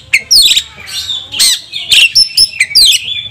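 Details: Agitated Oriental magpie-robin singing full, varied song after being provoked: loud harsh sweeping notes, rasping bursts and slurred whistles in quick succession, with a low indoor hum behind.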